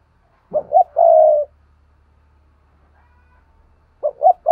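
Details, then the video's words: A spotted dove coos in its paired style. One full phrase has two short soft notes and a sustained low coo, then a pause of about three seconds, and a second phrase begins. A faint low hum runs underneath. "Tiếng cu gáy đôi"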